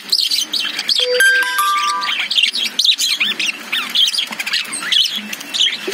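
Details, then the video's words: Lovebirds in a cage chirp in quick, wavering high notes, while a clear ringing chime of several tones sounds early on before the twittering continues alone. "Love birds sound"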